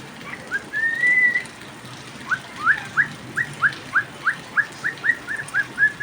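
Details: Pet cockatiel whistling while it rains: one long rising whistle, then a fast string of short upslurred notes repeated about every third of a second, with rain hiss in the background.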